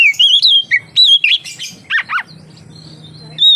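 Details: Oriental magpie-robin singing lively as a lure to draw other magpie-robins into song: clear whistled notes around a steady pitch, sliding phrases and sharp downward-swept chirps, then a short pause before whistling resumes.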